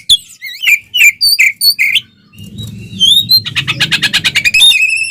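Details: Oriental magpie-robin singing loudly in fighting mode, tail spread, meant to rile other magpie-robins: sweet slurred whistles, then a fast harsh chattering trill over a low rumbling background.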